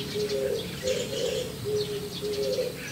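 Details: Soft calls of a white-cheeked starling perched on a roof, seemingly addressing the starling beside it: low, brief level notes in quick pairs, with faint distant chirping above.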